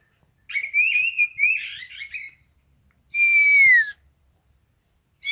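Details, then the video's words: Oriental magpie-robin in lively song; a varied phrase of warbled whistles, a silence, then one long, loud, slightly falling whistle with a rough edge. "BURUNG KACER JAGO GACOR"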